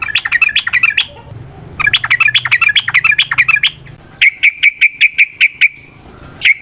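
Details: Sooty-headed bulbul song, ropel variasi nrotok ngecuplik style, used as a lure to make other bulbuls sing: two dense phrases of bubbly, rapidly chattered notes, followed by a fast, even series of identical sharp chirps.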